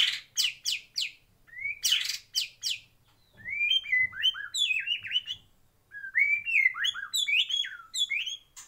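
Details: White-rumped shama singing in a breeding aviary: sharp downslurred chips followed by fluid whistled phrases of rising and falling slurred notes, varied and loud.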